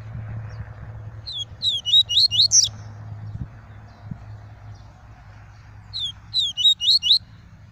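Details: Caged papa-capim, or double-collared seedeater, giving pure tuí tuí song: two brief bursts of rapid high chirped notes separated by a pause, over a steady low hum.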